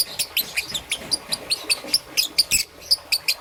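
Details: A young green and yellow peach-faced lovebird chirps steadily in the morning, with thin, squeaky notes repeated about five times a second in an even series.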